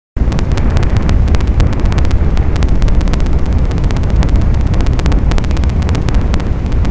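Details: Strong wind buffets the microphone throughout, giving a loud, constant low rumble broken by rapid crackling clicks, with no animal voice heard.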